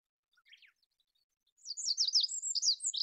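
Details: Olive-backed pipit giving a short burst of song. A few soft notes lead into a loud, high, tumbling series of thin twittering chirps and slurred whistles lasting about one and a half seconds.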